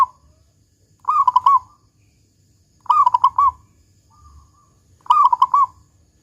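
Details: Zebra dove (local perkutut) in full 'kung' song as a lure for other doves: three rolling phrases of four or five quick coos about two seconds apart, a faint soft coo in one gap.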